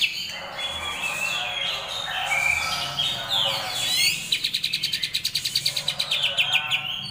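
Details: Greater green leafbird in a training recording of rolling, harsh besetan song: varied whistled slurs and chattering notes for four seconds, then a fast, even roll of rasping pulses.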